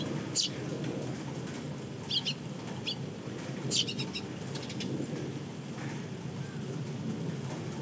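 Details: Eurasian tree sparrows, fledglings and adults, visiting a balcony during heavy Golden Week rain: a handful of short, sharp chirps, some doubled, scattered over steady rain hiss.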